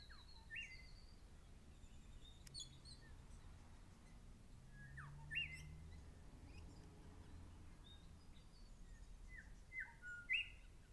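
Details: Grey shrike-thrush warning an intruder near its nest, dated 10 Oct 12: loud, sharp upslurred notes about every five seconds, with quieter chips and short whistles between them over a low steady rumble.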